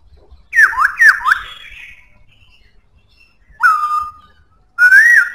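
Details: Black-throated laughingthrush singing strongly: a run of loud, falling whistled slurs near the start, then a drawn-out descending whistle and a final rising, wavering whistled phrase, with quiet gaps between.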